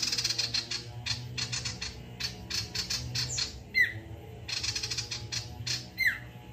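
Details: Male sirtu in full, lively song used to provoke other birds into singing: rapid buzzy chattering bursts in repeated trains, broken twice by sharp downward-sliding whistles, with a steady low hum underneath.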